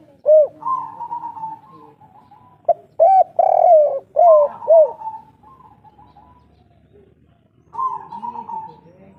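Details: Spotted dove of local Indonesian stock, an old forest bird, calling in kuk 3 style: a single arched coo, a sustained hum, then a tight phrase of a broad note and two rounded coos, quiet spells and a final humming tone.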